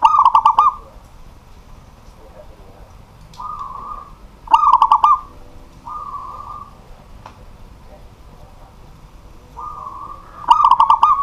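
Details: Local zebra dove singing at night in a house: repeated bursts of rolling, bubbling coos around a low pitch, several phrases with gaps of a few seconds, over faint background noise.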